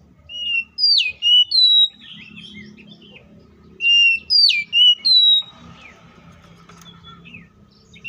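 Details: Oriental magpie-robin singing its fighting song, which is meant to get other magpie-robins singing: two bursts of four loud, bright whistles with upward and downward flicks, separated by quiet spells with a low hum.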